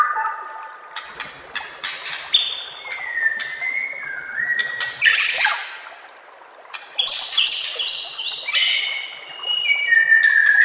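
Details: White-rumped shama song for training caged birds, set against trickling water. A varied sequence of long level whistles, rising and falling slides and harsh squawky bursts, with a quiet gap midway.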